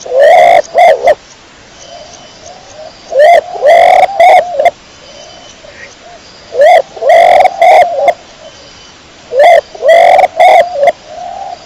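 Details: Dara kecor pigeon repeating harsh, buzzy coos in four clusters of two to four notes, several seconds apart, with gentle low coos from other pigeons audible between clusters.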